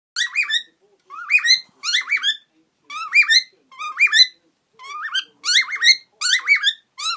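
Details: Happy pet parrot, aged over eighteen, twitters to a companion bird walking above it while it sits on a swing, recorded 2015. Bright squeaky chirps come in short repeated bursts roughly every second, with wavering pitch.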